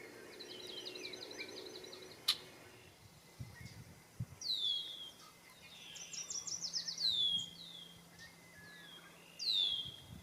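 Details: Male Red-winged Blackbirds singing and displaying along cattail marsh margins at Roy Marsh / Rail Trail in South Hero, Vermont; rattling stuttered trills alternate with sharp descending whistled notes, repeated several times, over low rumbling background noise and an occasional click.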